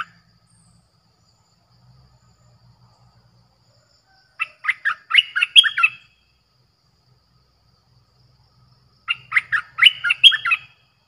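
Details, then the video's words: Streak-eared bulbul lure song for wild birds, two bursts about five seconds apart, each a quickening string of sharp chirps ending in jumbled bubbly notes; faint low hum between. "เสียงนกดอกแตงEp.98เสียงดุดัน เปิดต่อนกป่าตัวดุๆ"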